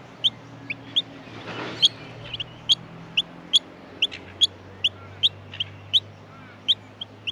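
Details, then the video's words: Hungry Australian miner nestlings being fed: a long series of quick, high, thin chirps at an uneven pace, with a brief rustling noise early on and a low hum beneath. "Australian Minor baby birds in the nest feeding"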